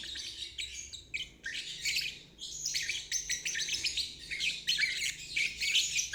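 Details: Lovebird singing its ngeriwik trill as therapy for stuck or young birds; rapid, squeaky, buzzy chatter in bursts about once a second, growing louder toward the end.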